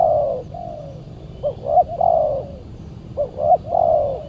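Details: Aggressive wild spotted dove (tekukur) reacting to a decoy while being lured on a Saturday; long soft coos alternating with brisk double-note hiccups, the full phrase given twice, over a quiet low-pitched rumble.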